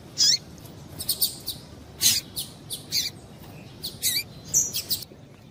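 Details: Female double-collared seedeater calling to stimulate males: short, sharp high chirps and a few bright chips, irregularly spaced, some closely paired, over a faint low background hiss.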